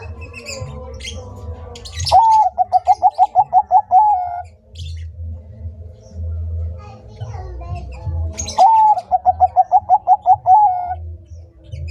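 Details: Bangkok-type zebra dove in full song, giving two phrases about six seconds apart. Each opens with an upward-swinging note, then eight staccato coos and a drawn-out final coo, amid faint chirping birds and a steady low rumble.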